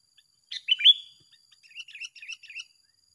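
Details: Singing duel between two sooty-headed bulbuls: one loud fluty phrase of a few quick notes, answered by a softer run of about eight short rising chirps.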